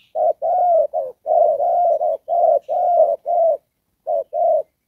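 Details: Spotted dove used as a trapping decoy, singing a 'đồng pha' coo with 'rước' and 'kèm' parts: a dense run of low rolling coos, mostly joined together, then a pause and a final short-long pair.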